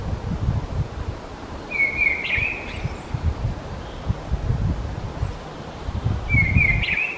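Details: Mistle thrush (Turdus viscivorus) giving two short, harsh, rattling calls about four and a half seconds apart, against low rumbling wind and rustling.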